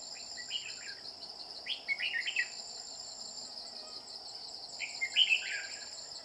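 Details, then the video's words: Red-whiskered bulbul at a decoy trap: three bright, slurred warbling phrases, each under a second, spaced roughly every two seconds, with a continuous shrill insect chorus behind. "Bẫy chào mào đang săn em bố giọng chuông"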